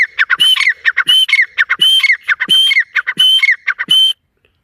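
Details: Partridge calling in a forest: loud, harsh, rhythmic phrases of clipped notes, each with a high whistled rising stroke, repeated about every 0.7 seconds for four seconds before silence.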